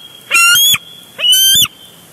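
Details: A bald eagle calls during a fight over a big fish at a nest on a Big Bear Lake live cam, June 2022. Two strident, squealing, rapidly pulsed calls, each about half a second long, sound roughly a second apart.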